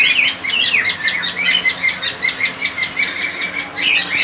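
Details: Flock of cockatiels in a colony giving quick repeated chirps, bursts pulsing roughly twice a second, bright whistled notes layered over each other, low hum behind.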